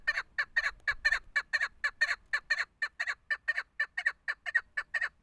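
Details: Female chukar partridge, a desi hunting bird, calling a steady rapid run of harsh, nasal chuk notes, about two per second. The notes are evenly spaced and continue throughout, with faint low rumble beneath.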